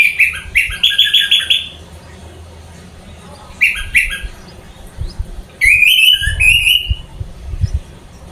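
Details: Energetic song of a caged orange-headed thrush: quick, warbling whistled runs that repeat and climb in pitch, separated by quiet gaps, with low knocking sounds near the end.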